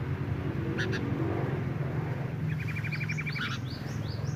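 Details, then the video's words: Sooty-headed bulbuls, a male and female in breeding condition, give a fast run of about ten ticking 'nyrecet' notes that runs into a series of high rising whistles, over a continuous low hum. "burung kutilang jantan betina birahi kawin suara nyrecet"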